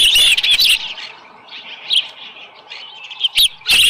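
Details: Osprey at its nest with a small live fish, 13 July 2018, about 7:10 in the morning. Loud bursts of high, slurred chirping open the clip, then fade to quieter, scattered whistled notes with a few sharp clicks.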